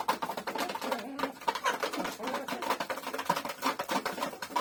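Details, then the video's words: Hens pecking wheat, uttering short, soft, repeated low clucks and murmurs in a quick stream, mixed with sharp pecking clicks on the grain. "the hens make a noise as they peck at the wheat"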